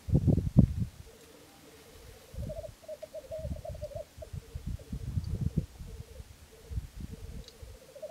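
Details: Black grouse lek at Filsartrusket, Florarna, early morning of 17 April 2013, three cocks displaying near a hide; a loud low thud opens, then steady bubbling cooing trills run on with intermittent low rumble underneath.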